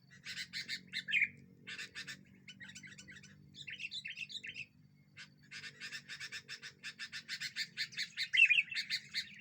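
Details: Sooty-headed bulbul calling loudly as a lure that provokes other birds: rows of harsh clipped notes, a few brief warbling whistles, then an accelerating run of chattering notes growing louder toward the end, with low hum behind.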